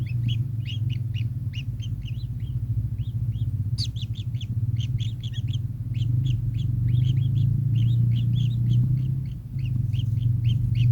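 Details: Kingfisher calling in a dense, continuous volley of short, harsh chip notes, closely packed and repeated many times a second for the whole stretch, with a steady low hum beneath.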